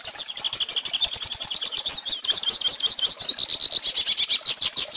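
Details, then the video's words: Song of a goldfinch used to teach young birds: a long, energetic run of high, scratchy twitters and quick trills, with the pace speeding into dense buzzing runs near the end. "Pintassilgo Cantando Ensine Filhotes!!!"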